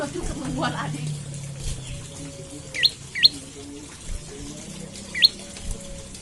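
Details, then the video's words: Morning call of an olive-backed tailorbird, played to spur other tailorbirds into song: three isolated sharp, high upswept chirps, two close together and one later, over low rumbling background noise. "Pancingan Prenjak Lumut Pagi Hari Bikin Burung Prenjak Bahan Cepat Bunyi dan GACOR"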